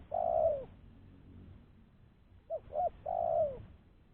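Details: Lure spotted dove used to draw in other doves, calling a long falling coo, then after a gap two quick short notes and another long drawn coo.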